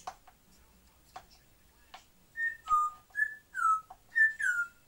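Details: Pet African grey parrots indoors, one of two birds giving a run of short clear whistles, some level and some falling in pitch, about two per second after soft clicks and taps.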